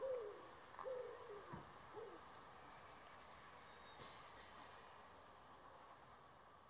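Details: Common wood pigeon on a walk in Nowa Huta, Kraków, gives a short run of four soft, low, hooting coos in the first two seconds, while another bird repeats thin, high, whistled notes.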